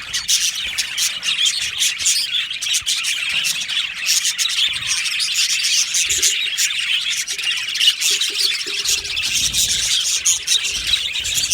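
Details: Australian budgie parakeets in an aviary colony chirping together, a dense shimmering chatter of quick tweets with a faint low cooing note near the middle.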